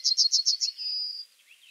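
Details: Yellowhammer phrase of five loud, repeated chipping notes followed by a long, steady, high drawn-out whistle that fades, then faint softer notes.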